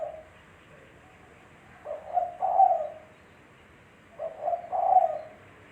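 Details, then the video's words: Spotted dove, known locally as tekukur, with a clean lure-style recording. It gives two soft, hollow cooing phrases a little over two seconds apart, each a brief coo-coo leading into a drawn-out burry note. There is little background noise. "Suara Burung Tekukur Bersih-Suara Burung Tekukur Buat Pancingan"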